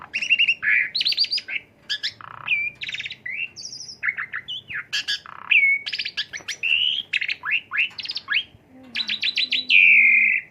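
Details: Asian pied starling singing as a stimulating lure: a long, rich medley of piercing whistles, chattering bursts, rasping buzzes and rapid repeated notes, loud and nearly continuous.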